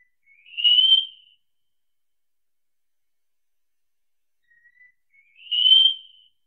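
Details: Wallcreeper (Tichodroma muraria) singing: two drawn-out, thin whistled notes rising slightly, separated by about four seconds of silence, in a clean recording with no other sounds.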